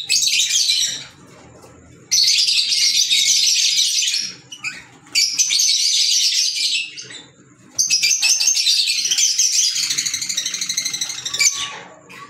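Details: Green Fischer's lovebirds, African lovebirds, chattering in three long, dense bouts of shrill, rapid squeaky notes, with brief quieter gaps between bursts and a faint steady hum underneath.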